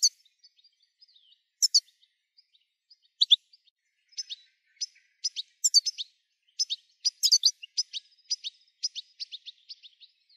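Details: European goldfinch song used to get birds singing: scattered high sharp chirps at first, building into a faster run of twittering, tinkling notes over about ten seconds, clean and quiet background.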